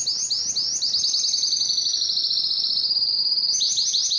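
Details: Canary song of rolling high trills, with rising repeated notes flowing into a long steady rapid trill and ending with a few louder, separate rising syllables.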